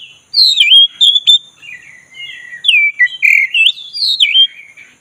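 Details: Black-breasted Oriental magpie-robin delivering a continuous, rich song to prompt a reluctant bird to sing. Rippling, looping whistles rise and fall, linked by quieter warbling with hardly a break.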